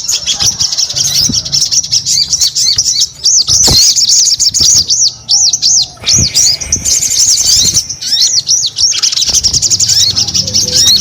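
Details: Sustained singing by a crescent-chested babbler: quick sequences of high, bouncy looping whistles repeated in fast strings, interrupted by brief gaps, with faint low rumble behind.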